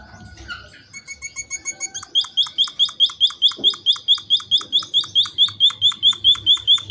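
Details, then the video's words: Munia in nonstop calling meant to draw other munias into a call-and-answer exchange; after a soft, scattered start, sharp high hooked notes build into a loud, even series of about two per second. "Suara burung Emprit Pipit gacor untuk pancingan agar emprit lain cepat bunyi sahut sahutan"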